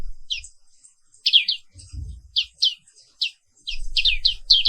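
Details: Black-capped white-eye (pleci, Zosterops atricapilla), a bird found only in Indonesia, singing in the morning: bursts of high, sharp descending chirps in quick clusters, with gaps between them and some low thumping noise.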